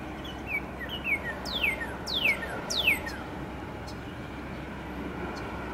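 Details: Northern cardinal singing in late morning as spring nears: two short falling whistles, then three loud steeply down-slurred whistles about half a second apart, followed by faint distant chips amid broad background traffic-like noise.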